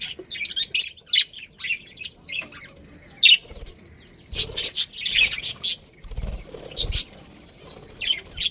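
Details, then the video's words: Pet budgerigars in a breeding colony chirp in lively bursts, with shrill peeps, scratchy warbles and quick twitters. Brief pauses fall between bursts, and low thuds mark moments of movement. "Cute Budgies Chirping Sounds"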